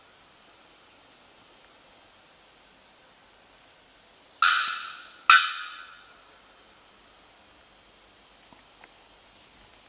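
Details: Quiet room tone broken by two loud, sharp ringing strikes about a second apart, each fading away slowly, then two faint taps; no animal calls.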